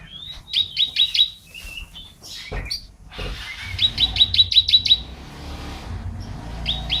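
A canary sings bursts of rapid, high, bright chirps repeated several times a second, joined by short trills, over a low background hum and a couple of clicks.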